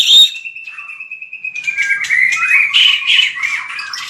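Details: White-rumped shama in training fighting song: a sharp opening note, then a long steady series of rapid even pulses, breaking into a jumble of varied quick whistles and chips.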